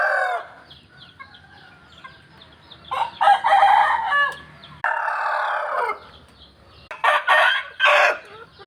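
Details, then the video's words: Several roosters crowing in the dawn, harsh drawn-out crows following one another with short gaps, some overlapping, and softer chirping calls between them. "roosters crowing in the dawn, manok galing tumitilaok"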